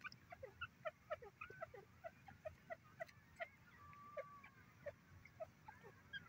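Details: Soft, rapid clucking notes from grey francolin, or teetar, repeated about twice a second in a steady run, with a few higher squeaks and a brief drawn-out tone midway.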